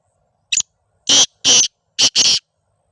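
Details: Black francolin calling in Sindh, Pakistan, delivering a loud scratchy sequence: a brief opening note, then two longer grating notes, a short pause, and two more, about one and a half seconds in all, in silence.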